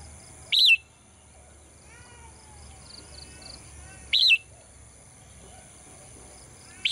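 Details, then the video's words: Caged female bird that sings every morning: three sharp, arched chirps spaced about three and a half seconds apart, with faint whistles from other birds in the background and a steady high-pitched whine. "เสียงนกร้องเจี๊ยก ๆ ไพเราะมาก"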